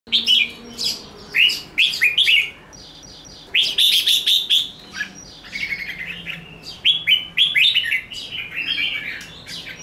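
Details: Red-whiskered bulbul giving an energetic fighting song with 'ché nẹt' notes: three bursts of quick, liquid, bubbling whistled phrases separated by short pauses, over a faint low background hum.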